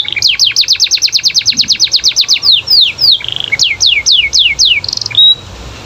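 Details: Canary singing a fast run of downward-slurred notes, a short buzzy burst, further falling whistles and a closing flat note, clear against quiet background.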